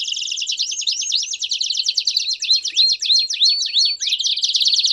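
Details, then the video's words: Canary singing campainha song with piados for teaching fledgling canaries; rapid high trill punctuated by runs of upward-hooked whistles about three per second, ending in a rich buzzy roll. "Canto Campainha Com Piados Top Para Treinar o Canto de Canarios Filhotes"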